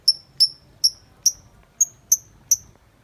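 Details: Tame lovebird outside its cage uttering clean, sharp, high chirps, seven in a row spaced about two to three per second, each a brief downward-sliding note.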